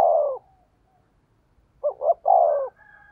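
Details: Spotted dove used as a decoy, 'thổ' urging voice: the tail of one falling coo, a pause, then a full phrase of two clipped notes and a longer coo, a faint higher call from another bird after it.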